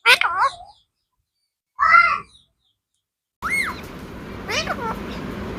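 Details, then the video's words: Talking blue parrot. Two loud harmonic speech-like syllables are followed by a louder section of wavering whistled notes over steady background hiss. "talking blue parrot"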